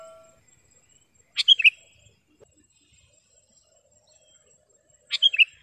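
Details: Kutilang, the sooty-headed bulbul, in vigorous song meant for tutoring caged birds: two quick three-note liquid phrases separated by about four seconds of silence.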